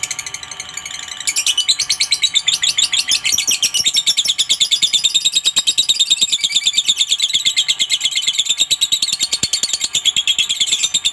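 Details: Lovebird in sustained ngekek chatter, a provoking call meant to make a rival answer quickly; eleven seconds of continuous, high, buzzy rattling with evenly pulsed notes and a faint steady hum underneath.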